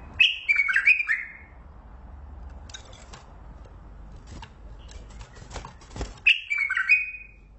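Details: Mandali bulbul gives a fluty warbled phrase, then a quiet spell broken by several sharp clicks and knocks, before a second sweet falling phrase.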